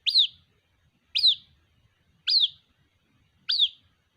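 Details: Young white-breasted waterhen calling for its mother, giving four loud high squeaky notes, each a quick upward flick falling away, spaced a little over a second apart.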